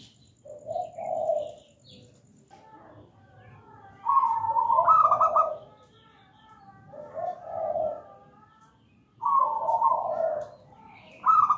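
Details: Local zebra dove in full song: a low coo followed by rolling phrases that start with a bright trill and slide down to a softer purring coo, repeated several times, with a faint background hum.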